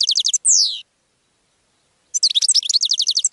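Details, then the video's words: Goldfinch singing to draw in other birds, with a quick series of evenly spaced high chirps, a downward-sliding nasal whistle, a second of quiet, then a jumbled, liquid, twittering phrase. "GOLDFINCH SONG to ATTRACT Other Birds"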